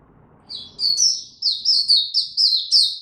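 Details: Oriental white-eye performing tiong aw song on 25 January 2022 after a late night: after a quiet start, a rising series of loud, ringing high chirps in quick, evenly paced succession.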